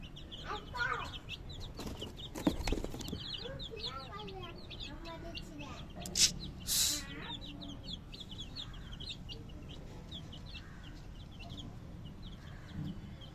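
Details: Many baby chicks keep up high, thin chirping throughout, mixed with handling noises, clattering knocks, brief human speech and a steady low background hum.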